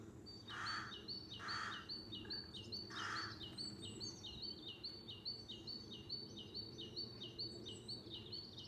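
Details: A male great tit sings a bright, high two-note phrase, repeated steadily about twice a second, as a sunflower seed feeder is refilled on a farm in County Kilkenny, Ireland; low background rumble and a few early clattering noises.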